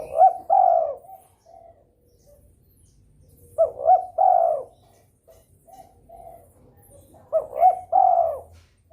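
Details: Spotted dove calling in breeding mood to stir rivals into calling. Three phrases, each two quick rising coos and a longer falling croon, come about every four seconds, with soft distant coos in the gaps.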